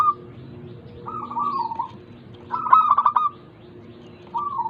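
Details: ['Local zebra dove song, meant to encourage lazy caged doves to sing: a wavering coo, then a loud trill of quick pulses ending in a level note, another coo starting at the end over faint low hum.']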